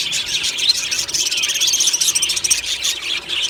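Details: Budgerigars in an aviary colony singing happily in the morning, a steady wall of bright, high-pitched twittering and quick chirps overlapping throughout.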